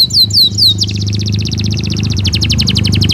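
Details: Belgian canary song opening with three clear downward-swept whistles, then breaking into a dense rapid buzzy trill, with a steady low hum running underneath throughout.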